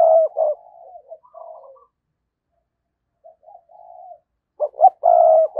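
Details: Decoy spotted dove, recorded in 2022, calling in the thúc and gáy styles used to provoke wild doves. A loud, low, throaty coo ends, soft murmured coos follow after a pause, then a new loud phrase begins with two short hoarse notes.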